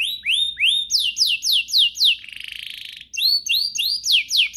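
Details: Canary song used to get other canaries singing hard: rising then falling swept notes repeated in quick series, a buzzy rattling trill in the middle, then more rapid sweeps.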